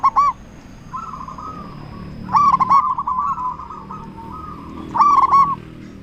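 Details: Zebra dove, a loud local bird, calling to provoke other zebra doves into answering: short bursts of trilling coos repeated roughly every two and a half seconds, linked by a soft, steady purring trill.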